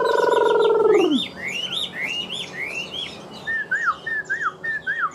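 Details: A captive Chinese hwamei, freshly moulted with feathers still wet, sings a quick series of clear whistles: rising slurs first, then a run of repeated down-slurred notes. A loud, steady humming tone opens the recording.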